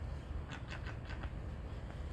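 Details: A captive adult bald eagle at a zoo, likely 16-year-old Charlie, gives a quick run of about six thin, high piping notes that fade away, with a low steady rumble underneath.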